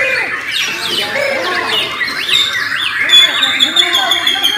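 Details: Borneo white-rumped shamas singing at a bird-singing competition: dense, overlapping whistled and warbled phrases, sliding and rapidly varied, one sharp high whistle near the end. People talk loudly throughout.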